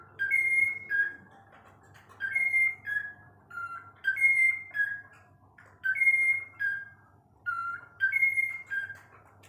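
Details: Whiteface lutino cockatiel whistling a repeated phrase of clear two- and three-part notes that step up then drop, the phrase returning about every two seconds, over a faint steady low hum indoors.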